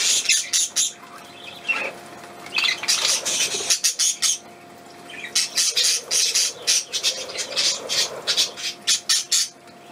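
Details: Small bird recorded on 31 May 2020, producing bursts of harsh, noisy squawks in uneven clusters, separated by short quiet gaps.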